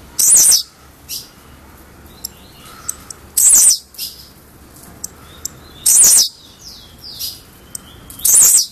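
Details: Albino Blue-black grassquit repeating a brief, very high, explosive buzzy note about every two and a half seconds, with faint thin whistles between.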